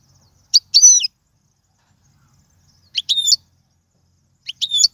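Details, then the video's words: Goldfinch in 'royal' style song for tutoring young birds, giving three short, matching twittery phrases spaced about two seconds apart, each a quick tick followed by a bright buzzy flourish, with a faint low hum behind. "أفضل تغريد الحسون"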